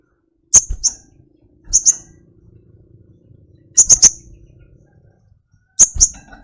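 Sharp, very high sunbird chips, given singly or in quick bursts of two or three, a second or two apart, against a quiet background.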